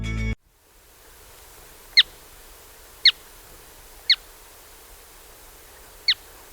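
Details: Caspian Plover in Sri Lanka gives four sharp, high, clipped notes, each dropping quickly in pitch, spaced about one to two seconds apart, after a brief burst of music.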